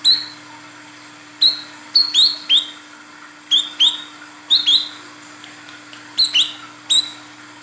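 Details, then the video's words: Female Olive-backed Sunbird calling the male, used as a lure for males: steady clusters of piercing high chirps, often doubled, roughly every half second to second, with a faint continuous hum. "SUARA PANCINGAN BURUNG KOLIBRI KELAPA WICEH BETINA GACOR MEMANGGIL JANTAN"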